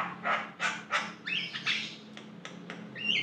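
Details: A Javan myna (jalak kebo) singing: three harsh, rasping bursts, then bright whistled notes and sharp clicks, all jumbled at a quick pace over a faint low hum.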